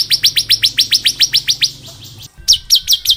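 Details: Bar-winged prinia delivering ngebren song for tutoring young prinias: around fourteen downslurred notes in steady rhythm, a short break, then a few sharper, louder notes.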